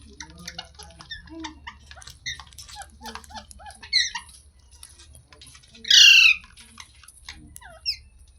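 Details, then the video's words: Pet talking parrot making soft clicks, squeaks and chattering notes, then one loud harsh squawk and a short sharp call near the end, with a steady low hum in the background. "Parrot Sounds Videos Compilation | Mitthu Ki Awaaz"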